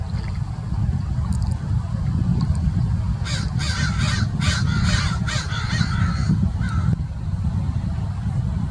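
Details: A murder of wild American crows at Mason Regional Park, Irvine, Orange County, California, keeps up mobbing calls after a Peregrine Falcon leaves. About six harsh, rapid caws burst out in a cluster midway. Steady low rumble of wind or traffic underneath.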